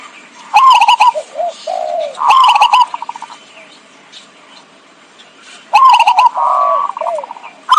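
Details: Used as a lure to trap zebra doves: three bursts of rapid stuttered notes, each followed by two or three soft lower coos, separated by quiet gaps of several seconds.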